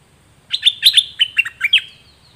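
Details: Dok taeng bird song, a 2020 recording of two birds used to teach young birds to sing along: a quick series of about seven sharp, chirping notes, each dropping slightly, against a sustained thin high whistle, over a quiet background.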